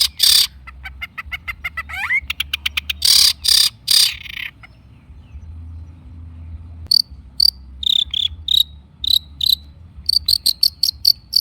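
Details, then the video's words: Long-tailed shrike lure song: loud, harsh grating bursts and rapid rattles with a brief upward slur, a quiet pause, then a series of short, sharp, high notes. "kicau cendet gacor pancingan cendet stres macet bunyi JADIKAN cendet NYAUT GACOR"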